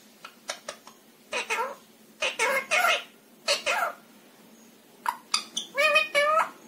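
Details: Talking pet rose-ringed parakeet indoors, copying household Hindi phrases. Rapid clicky syllables lead into dense, voice-like phrases of rising and falling tone, with short pauses between bursts.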